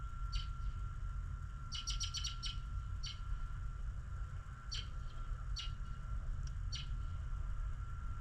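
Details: Birds on a snowy morning giving short, high chirps, some in quick runs of four or five and others single, scattered across the clip. A steady low rumble and a constant whining tone run underneath.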